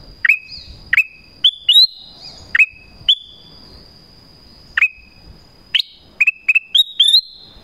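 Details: Black-crested bulbul calling to attract wild bulbuls: a repeated series of clear whistles, sharp onsets falling into level tails, about a dozen notes in quick succession with short pauses, over a faint continuous high tone.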